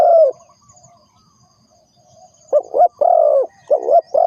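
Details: Spotted dove calling as a trapping lure: one long coo, a pause of about two seconds, then a quick run of short doubled coos and a sustained croo, all low and soft.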